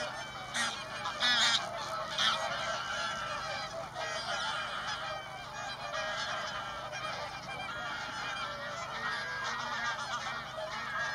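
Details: Thousands of swans resting and feeding on fields at lake Tysslingen, Örebro, Sweden, on spring arrival after migration; dense overlapping honking and bugling calls from a large flock, continuous, with louder bursts near the start.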